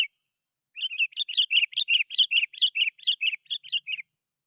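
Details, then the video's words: Sooty-headed bulbul singing to call rivals, played to lure wild bulbuls: a rapid, steady run of about fifteen bright, liquid chirps, each slightly bubbling, lasting roughly three seconds. "Suara Burung KUTILANG GACOR"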